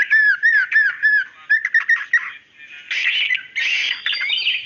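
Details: A female white-rumped shama calls the male with a few repeated wavering whistles, then clipped notes, followed by harsher, buzzy, scratchy bursts in the second half.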